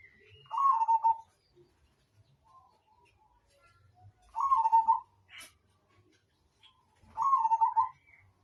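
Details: Zebra dove (perkutut) of the Majapahit type, recorded for bird tutoring. Gives three trilled, mid-pitched cooing phrases, each under a second, repeated about every three seconds. Faint rustling fills the gaps.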